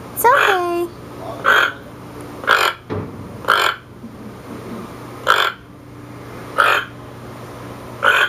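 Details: Toco toucan kept by an owner, croaking to alert the flock to sensed danger: short, harsh, broadband croaks repeated roughly every second, seven in a row, with a brief human voice at the start in a quiet indoor room.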